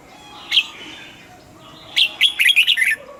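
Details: A single note from a caged red-whiskered bulbul is followed after a pause by a fast, bouncy run of about seven whistled notes. A faint steady hum stays under the song.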